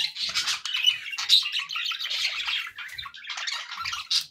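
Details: Happy pet budgie chatter: a nonstop, rapid flow of scratchy, warbling notes and sharp squawks, with a loud chirp closing the sequence.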